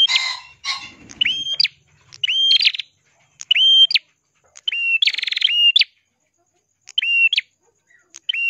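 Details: Lively Ashy prinia, local name prenjak kelawu, sung for tutoring songbirds: an opening burst of harsh scratchy notes, then about six steady whistled phrases, several with rapid buzzy trills, each closing with an upward flick.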